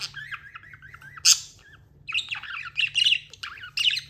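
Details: Caged budgerigar giving a run of repeated wavy chirps, then a loud harsh squawk and a busy burst of warbling notes, low hum behind.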